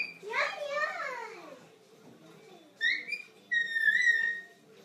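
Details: An African grey parrot kept as a pet, aged 21, gives a descending harmonic squawk-like call, then a pause, then short, pure, steady whistled notes, the last one long.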